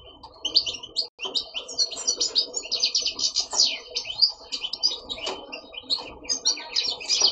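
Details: Caged male European goldfinch, kept for breeding with a female linnet, that sings all day and stops only in the dark. Rapid, dense twittering of high chirps, trills and buzzy notes runs without pause, with a faint lower murmur underneath.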